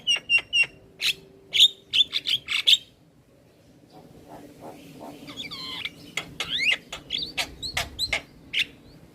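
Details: Javan myna singing actively while nodding its head: a burst of sharp clicks and short whistled notes, a quiet pause, then rising and falling slurred whistles and scratchy notes, used to prompt silent mynas to sing.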